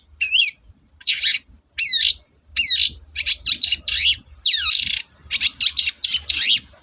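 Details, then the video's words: Long-tailed shrike pouring out a rapid chattering song of harsh, buzzy, downslurred high notes and squeaky twisting phrases, repeated in close, uneven bursts with a low hum underneath. "BURUNG CENDET GACOR DORR"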